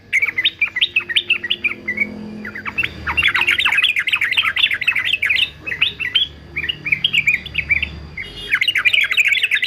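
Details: Male yellow-vented bulbul in fighter singing style, kept for training birds to sing: a steady run of bubbly, warbled notes that rise and fall rapidly, forming long chattering phrases with short pauses, continuing throughout over a faint low hum.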